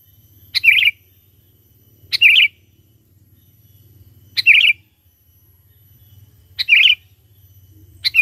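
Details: Lure song of a sooty-headed bulbul, meant to draw in wild bulbuls. Brief bright chirping phrases repeat roughly every two seconds, five bursts in all, with quiet gaps and a soft low hum between them.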